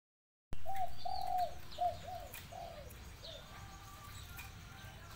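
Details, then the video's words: Spotted dove (derkuku) cooing in the style called kuk 2 or deruk sandungan: a run of five or six soft, hollow, mid-pitched coos, the longer middle notes slightly rising and falling, followed by quiet background hiss. "derkuku kuk 2, deruk sandungan kuk 2"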